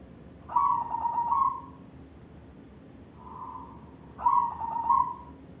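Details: Zebra dove with white barred plumage sings its manggung song, short trilled coo phrases that start with quick pulses and end in a sustained tone, a softer mellow coo between two louder phrases, low background hum throughout.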